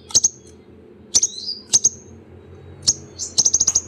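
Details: A sunbird gives very high, thin chips in quick pairs, a brief buzzy twitter, then a fast run of sharp chips near the end; a sound meant to prompt a quiet bird to sing.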